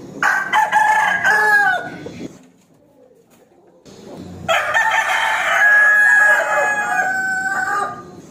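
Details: A rooster challenging its opponent to fight crows twice, a shorter crow followed after a pause by a long drawn-out one lasting nearly four seconds, harsh and strongly harmonic.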